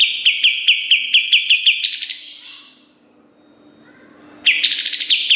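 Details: Kapas tembak song for tutoring songbirds: a rapid series of sharp, even high notes ends in a bright burst, then a pause, and another phrase begins.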